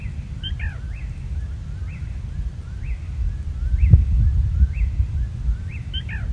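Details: Black Rail, New Jersey's rarest breeding bird, calling at night in mid-May in the same New Jersey spot as the previous year, gives its sharp, high 'kik-ee-der' call twice, with faint chirps about once a second between, over low night noise.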